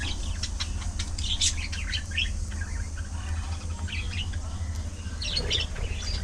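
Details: Budgies chattering during afternoon feeding: scattered high, squeaky chirps and warbled twitters in clusters, with short pauses between bursts over a constant low rumble.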